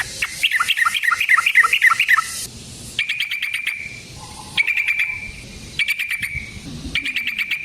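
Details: Yellow-vented bulbul lure recording for attracting other bulbuls: a fast bubbly phrase, then short bursts of clicking, rattly notes, each ending in a steady held tone, over light hiss.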